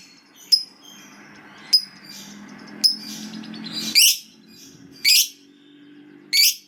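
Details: Lovebird, a fighter-type bird, giving single sharp high chips about once a second, followed by three louder harsh screeching notes, with a low hum underneath.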